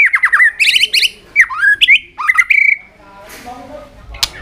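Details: White-rumped shama singing while flicking its tail, used to excite young birds into fighting form: clear whistled phrases, some falling and some rising, with rich overtones, then sharp clicks and a short pause.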